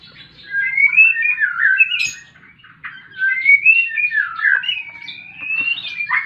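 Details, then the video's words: White-rumped shama fighting song used to coax quiet birds: drawn-out, wandering slurred whistles and soft warbles in two long phrases with a pause between, plus occasional sharp ticks. "Murai batu tarung pancing bunyi burung macet"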